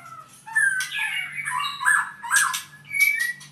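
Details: Albino white-rumped shama, a kept bird from Purwokerto, sings separate bursts of slurred whistles and harsh, noisy notes about every half second, with a soft low hum in the background.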